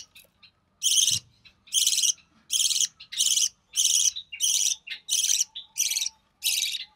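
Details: Recessive pied budgerigar chick, born early June 2020, begging as its albino red-eye mother feeds it; loud hoarse rasping notes repeated rhythmically, about ten in seven seconds, with a faint low hum behind.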